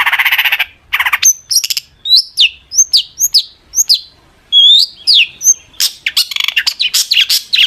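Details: Long-tailed shrike (cendet) song used to provoke other shrikes into answering: a rapid varied series of sharp high chirps, whistled downslurs and harsh rasping notes, delivered in quick bursts with short gaps.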